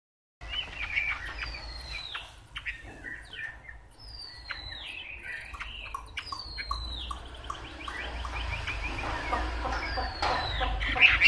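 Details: Chinese hwamei, a wild-caught 'bổi' bird said to show tail-fanning quality, singing loud slurred whistles that sweep downward between high and middle pitch, with short clipped notes in between and steady low background rumble.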